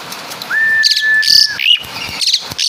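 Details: Asian pied starling from Java imitating caladi and kapas tembak, a single long level whistle held for about a second, followed by scratchy bursts of high chatter.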